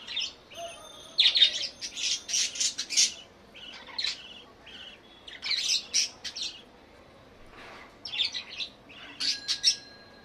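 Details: Budgerigars chatter in dense bursts of scratchy, buzzy chirps and warbles, repeated in clusters throughout with brief pauses between them.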